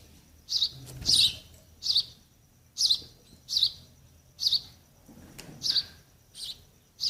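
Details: Baby sparrows waiting for their parents to feed them give short high chirps, about one every second, each a brief bright note with faint low rumble underneath.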